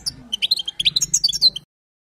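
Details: Short burst of a female goldfinch's batbata call aimed at stimulating the male: a dozen quick, high chirps and twitters for about one and a half seconds, then silence.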